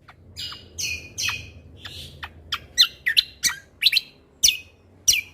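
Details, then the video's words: Cucak kombo, or lesser green leafbird, singing energetically in 'tembakan' shot style: opening warbled phrases, then a rapid series of punchy, sharply descending notes, just under one per half second, over faint low background noise. "Cucak Kombo Gacor Mentalan Pas Untuk Masteran Burung Isian Tembakan"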